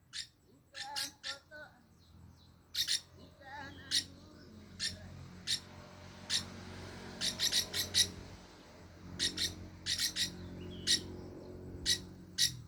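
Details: Lure song of the Iris lorikeet, played to coax other birds into song: a busy run of harsh, shrill screeches, often in clusters of two or three, mixed with fainter warbling notes over a low background hum.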